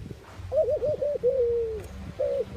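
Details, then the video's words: A mourning dove gives soft, low, hollow coos over faint background hiss: a wavering rising note, a long sliding coo, then another coo. "Mourning dove call Sound Effect, Doves cooing"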